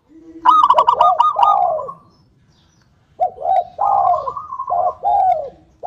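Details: Local Indonesian zebra dove in full, vigorous song, played to prompt other doves to sing: a rolling phrase of low, mellow cooing notes, a two-second pause, then a run of short staccato coos repeated in quick succession.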